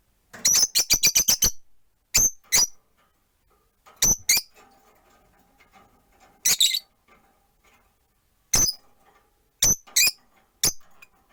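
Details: Pet rosy-faced lovebirds, four birds caged near a window: a quick stuttering run of eight sharp chirps, then single and paired shrill, scratchy chirps every second or two over a faint low murmur.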